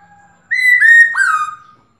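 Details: Black-throated laughingthrush female calling a male: three linked whistles, the first two held and level, the last dipping sharply then rising into a long, fading whistled tail.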